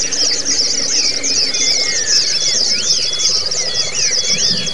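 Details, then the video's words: White-eyes in a training recording for ngalas and ngerol singing styles: continuous shrill chattering trills overlaid by looping, arched whistles that repeat irregularly, with a faint low hum underneath. "Audio Terapi untuk burung Pleci yang cuma ngeriwik jadi lasrol ( ngalas dan ngerol )"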